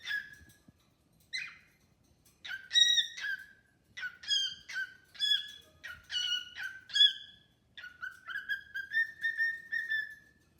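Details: Caged pet cockatiel singing and chattering with a new bird friend: scattered chirps building into a quick run of bright harmonic whistled notes, ending in a rapid rising-and-falling warbled series.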